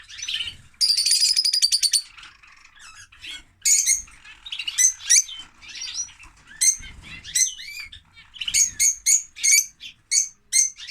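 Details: Male lovebird whose female mate died after laying eggs in winter, calling with a buzzy rattling burst, then many shrill, sharp chirps and squeaky slurred notes, repeated rapidly and irregularly.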